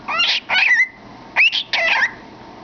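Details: Cockatiel in a cardboard tube singing four warbled phrases, one ending in a drawn-out steady whistled tone, another opening with a sharp rising sweep.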